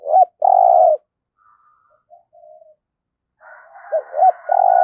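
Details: Decoy spotted dove used for trapping, singing in the 'thổ' voice. It gives a long low coo, then after a quiet gap a second phrase of two short notes and a drawn-out throbbing coo over faint higher chirping.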